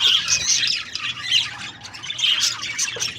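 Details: Brief run of budgerigar chirping: bright, piercing squeaks and raspy warbled notes in quick succession, loudest at the start and again near the end.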